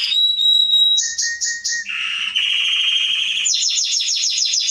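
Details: Canary (Serinus canaria) singing as a model for young birds: pure steady whistled tones in short repeated notes, shifting to lower buzzy rolls and then fast, high, chattering descending notes.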